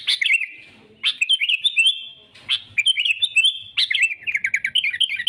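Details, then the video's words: Sooty-headed bulbul in energetic, rival-seeking song used as a trapping lure: three bursts of bright, warbling notes that wobble up and down, each opening with a sharp note and separated by short pauses. "suara kutilang gacor cari musuh‼️ampuh untuk pikat dan pancingan"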